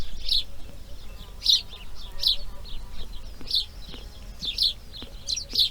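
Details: Grey heron chicks in the nest during breeding, day 2: short harsh broadband bursts recur irregularly about once a second, with faint tonal whistles of other birds and a low background rumble.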